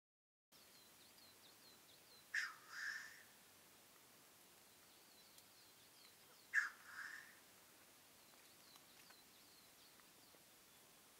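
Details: Black grouse lek in the 2015 mating season, from a hide: two short hissing sneeze calls about four seconds apart over a quiet background, with faint high bird chirps throughout.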